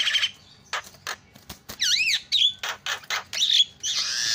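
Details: Javan myna, a senior singer, in loud song: harsh broadband bursts and rasping notes alternate with a looping whistled phrase that rises and falls twice, then a high clear whistle, in a quiet background.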